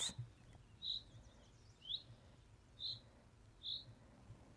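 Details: Common chaffinch giving 'tuit' calls, part of how chaffinches talk to each other besides singing. Four short, high, clear notes about a second apart, with a faint low hum beneath.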